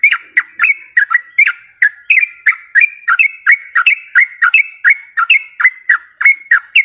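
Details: Yellow-vented bulbul lure song for trapping wild birds or stirring quiet ones to sing: a long run of short, sharp whistled notes with crisp attacks, repeated about every third of a second, slightly irregular, on a clean background.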